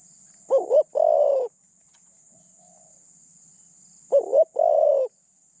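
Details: Caged spotted dove used as a decoy to catch other doves: two cooing phrases about three and a half seconds apart, each a wavering double note and then a drawn-out coo, with a quiet steady hiss.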